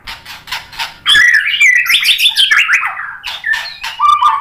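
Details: White-rumped shama song used as a lure to provoke a response: soft clicking notes, then a loud run of rich, rapidly changing whistled and warbled phrases with sharp ticks, ending on a low fluting note.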